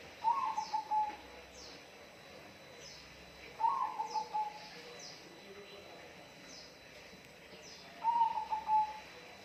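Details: Bird calling: a loud, warbled, slightly falling phrase of several quick notes, repeated about every four seconds, with faint thin high descending chirps from other birds in the background.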